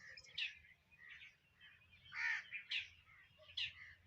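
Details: Home sparrows feeding on food give sharp, scratchy chirps at irregular gaps, with quieter twitters in between.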